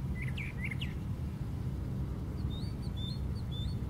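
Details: Brown thrasher at the very top of a white pine tree: a burst of rapid sliding chirps, a short pause, then a string of thin higher notes, with a continuous low rumble underneath.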